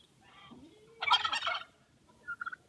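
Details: Turkey: a faint rising whine leading into a loud rattling gobble, followed by a couple of short clucks.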